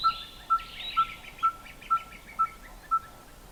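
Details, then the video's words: A Red-fronted Tinkerbird calls with its beak closed and its throat inflating, a song it can keep up for hours. It gives a steady series of short, hollow, bell-like tonk notes, about two per second, like a tinker's hammer on an anvil, while a twittering bird chatters behind. "Red-fronted Tinkerbird calling with beak closed"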